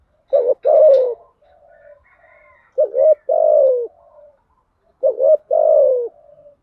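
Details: Spotted dove decoy, a female in thúc gù and gáy gọi styles meant to make wild doves respond: three low phrases of short doubled notes and long sinking coos, with quiet murmuring notes in between.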